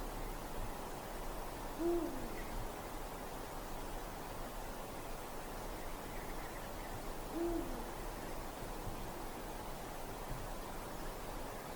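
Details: Eurasian eagle-owl calling at night in winter woods, two low, clipped hoots spaced about five and a half seconds apart amid steady background hiss.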